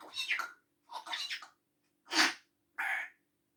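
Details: Pet grey parrot imitating human laughing and coughing: four short, breathy, rough bursts, the third a sharp cough-like burst, separated by brief silences, with a faint steady low hum underneath.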